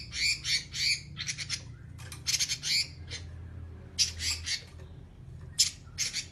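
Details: Oriental magpie-robin in vigorous 'nyerecet' song, a long harsh chattering style: bursts of scratchy, buzzy rasping notes repeated in quick runs, with brief pauses, over a steady low hum.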